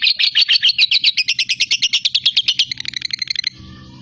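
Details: Long ngekek trill of a lovebird, used to stir up rival fighters: fast, harsh high-pitched notes pulsing in a steady chain, quickening and fading after about three seconds into a faint hum.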